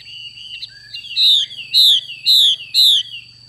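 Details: A female Chinese hwamei (Garrulax canorus) gives four loud, slurred whistled notes about every half second, over a steady high electronic whine and a low hum.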